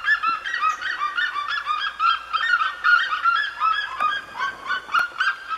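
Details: Red-legged seriemas in the Serra da Mantiqueira give loud, yelping, dog-like cries in rapid overlapping series, nearly three per second, rising and falling in a far-carrying chorus.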